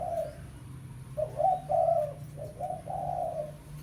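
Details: Rival-calling lure recording of a spotted dove: repeated throaty coos, several short notes leading into longer drawn-out ones in an uneven rhythm, backed by a low continuous hum.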